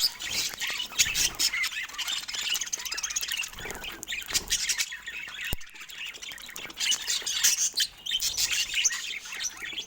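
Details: Several pet budgerigars playing together give dense, continuous high warbling chatter with quick chirps and squawks, rising and falling in busy bursts for the full ten seconds.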